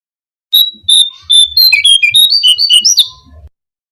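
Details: Brown-cheeked fulvetta song played as a lure to attract birds: a three-second phrase of clear whistled notes, opening with level repeated whistles, then fast alternating high and low notes climbing to a sharp rising finish.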